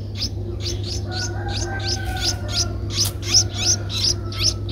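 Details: An 11-day-old Streak-eared bulbul nestling in Ubon Ratchathani, Thailand, 13 April 2023, gives a rapid run of thin, high, evenly spaced chirps, about three each second, over a constant low hum.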